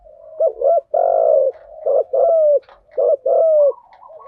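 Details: Male and female spotted dove lure song, thúc gù and gáy gọi styles, used to rouse decoy birds: repeated low coo phrases, a quick doubled note then a drawn-out falling coo, with quieter cooing behind.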